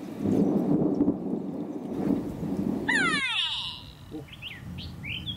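A grey go-away-bird gives a brief nasal, harmonic call that slides downward, after a stretch of low rumbling noise; small rising chirps from other birds follow.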